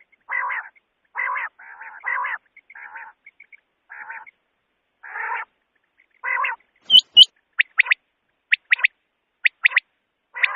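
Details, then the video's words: Common quail (batair) call for night shikar: a series of rough, buzzy nasal notes with soft pips, then loud clicks and a run of sharp whistled notes. "Common Quails sound Quail/Batair Ki awaz volume 2024 Bater ki awaz night shikar k ley/Beter ki voice"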